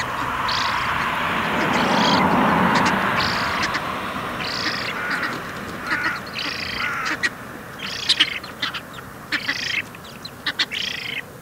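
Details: Juvenile Eurasian spoonbill at Bislicher Insel, 12 September 2021, 15:35, begging for food: a run of raspy, buzzy bursts about half a second long, later mixed with quick sharp ticks and a rushing low background noise early on.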